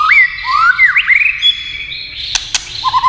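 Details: Tail-tap clicks with a white-rumped shama singing: swooping whistled slides, a long level tone, two sharp clicks, then a short low trill.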